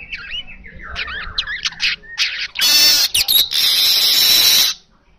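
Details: Asian golden weaver song opening with fast squeaky chattering notes and twitters, then a long harsh, buzzy sizzle broken by short pauses, ending abruptly.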